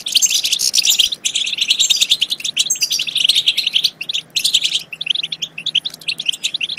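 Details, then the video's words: Energetic European goldfinch song of continuous chattering twitters that breaks into spaced chirps after about five seconds, used to stimulate goldfinches to sing and mate. "بتبتات خرافية في تحفيز الحسون على التغريد"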